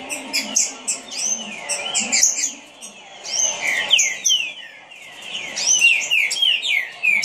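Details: Rapid song of a green-winged saltator, with bursts of clear falling whistled notes strung tightly together, a short lull in the middle, then another quick run of descending slurs.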